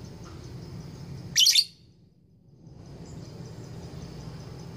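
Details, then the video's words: Female lovebird courting a male: a single grating, noisy screech lasting about a third of a second, set against thin high chirping and a low background hum, then a short silence. "Lovebird gacor ngekek panjang betina merayu jantan"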